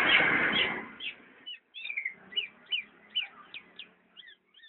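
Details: A black-naped oriole (Oriolus chinensis) gives short, clear whistled notes, slurred up or down, two to three each second, after a brief opening burst of rushing noise.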